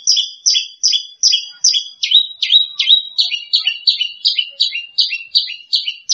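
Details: Champion branjangan lark song, ranked second: an even series of sharp two-toned chirps repeated steadily about every third of a second, clean and without background noise.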